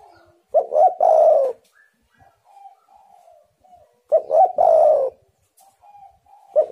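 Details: Spotted dove recording used to lure wild doves into calling: two full cooing phrases, each a short stammered opening and a long rough coo, separated by a string of soft low coos, with a third phrase starting at the end.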